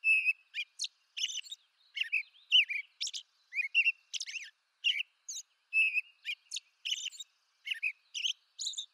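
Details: American robin singing in eastern North America: a steady run of short clear whistled phrases, each a quick rising-and-falling caroled note, delivered in groups with brief pauses, a few thin high squeaky notes mixed in, background quiet.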